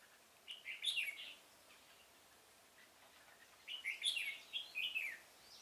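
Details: Caged decoy red-whiskered bulbul singing to draw wild birds to a trap in a pomelo garden, October 2017: two fluty, chattering song phrases, one early and one later, with a quiet gap between.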